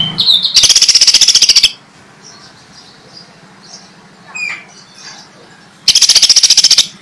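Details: Caged greater green leafbird, sung as a lively, rich master recording for training other birds: two bursts of rapid, harsh, buzzy high pulses about a second long, separated by a quiet stretch of faint scattered chirps and a soft low hum.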